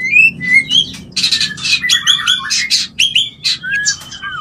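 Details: White-rumped shama mating call intended to trigger breeding: brief whistled notes followed by dense harsh, scratchy chattering bursts and a few thin high whistles, fast and uneven, over a soft low hum.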